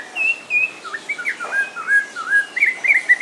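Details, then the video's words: Snowy-crowned robin-chat (Cossypha niveicapilla) in captivity at a bird park in Walsrode, Germany, singing a rich run of clear whistled slurs and warbled notes, mostly between mid and high pitch, flowing continuously without pause. "snowy crowned robin chat song"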